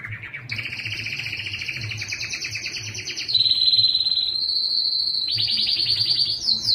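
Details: Yellow canary song with a long doubled buzzy roll, then a smooth high rolled tour and fast rising trills, continuous and loud over a soft low hum.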